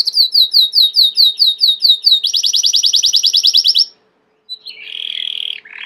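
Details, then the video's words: Belgian canary, domestic, singing high, bright tours: about ten slurred whistles repeated steadily, then a fast rattling trill, a brief pause, and a buzzy warbled phrase. "SEU CANARIO CANTAR MUITO 20 MINUTOS DE CANTO"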